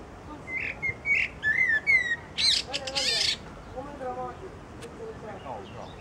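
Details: Thrush singing on a branch: a varied run of clear whistled phrases, some rising and some falling, followed by harsher buzzy, rasping notes and softer twittering. Phrases come roughly every half second over a low background hiss.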